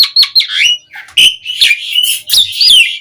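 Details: Rich, continuous song of an Asian pied starling, meant as a lure to set starlings singing: squeaky whistles, slurred rising and falling tones, and rough chattering notes run closely together.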